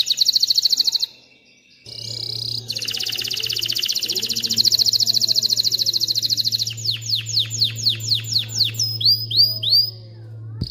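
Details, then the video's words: Singing canary, used to stimulate males to sing and females to mate; sustained rapid buzzing trills in several tours, ending with a run of sharp descending notes and quick upswept whistles, a low steady hum beneath. "تغريد طائر كناري خرافي لتعليم الفراخ على الغناء والاناث على التزاوج، Canary singing"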